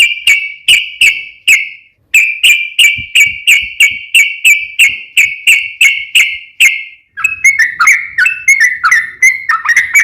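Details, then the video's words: Sooty-headed bulbul in full song, described as 'nembak ropel ngeplong' style: a long run of short, even whistled notes repeated about three times a second, each with a sharp clicky onset, switching to quicker warbled, varied notes near the end. "KICAU SUARA trucukan gacor NEMBAK ROPEL NGEPLONG"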